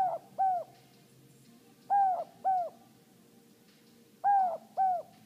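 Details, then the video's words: A pet male Inca dove, hand-raised and never having met another of his species, gives the two-note "no hope" coo, soft hollow notes repeated about every two seconds, over faint background hum; he calls briefly throughout the day. "the Inca dove makes his "no hope" call"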